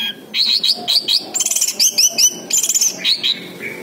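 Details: Song of an orange-headed thrush played to coax a silent bird into answering: a dense, varied run of high chirps, buzzy trills and whistled notes, phrases repeated several times a second.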